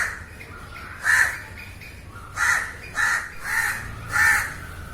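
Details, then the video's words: On-site recording of a crow: one hoarse caw, a pause, then four raspy caws in quick succession roughly every half second, over a low steady background noise. "烏鴉叫聲 烏鴉呱呱叫👂烏鴉聲音效 現場錄音👍Crow Calling"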